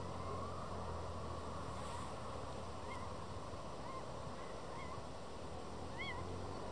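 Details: Little owl pair in the breeding season near Madrid, February 2023; a male mews insistently while another owl answers from nearby. Short, rising-then-falling whistled mews repeat roughly every second over a steady broadband hiss.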